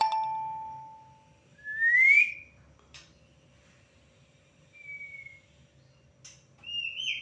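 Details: Champion white-rumped shama giving sparse, clear whistled notes: a long steady low whistle, a rising slurred note, then short flat and higher whistles separated by pauses, with a faint low hum underneath.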